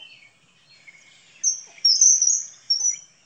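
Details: Common kingfisher (Alcedo atthis) giving piercing, thin high whistles in three bursts, the middle one longest, after faint lower warbling notes at the start.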